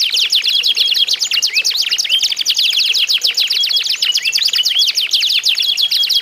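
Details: Several canaries in a singing contest meant to draw other canaries into song; fast high trills of steep downward notes pour out without pause, overlapping voices mixing rolls and short whistles.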